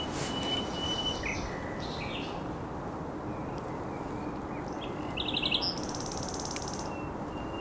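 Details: Common nightingale song from a headland on the Żerań Canal, 1 May 2021: scattered whistled notes and a fast buzzy rattle near the end, fairly faint against constant low rumbling background noise.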